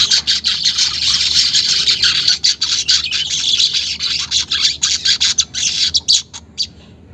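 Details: Unedited weaver chattering meant as therapy to get caged weavers singing: continuous high, hissing, buzzy chatter broken into rapid uneven bursts, with a low steady background hum, fading out at the end.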